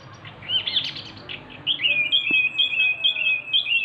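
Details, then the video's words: Small male wambi of the local Javan type sings a jumbled high twitter, then a long chain of quick high chirps at a nearly even pitch. "wambi mini gacor ||| sikecil bersuara besar !!!"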